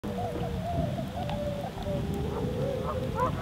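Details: A family of tundra swans at Aylmer Wildlife Management Area trade soft, mellow hooting calls, several voices overlapping, communicating and nodding heads just before taking off together.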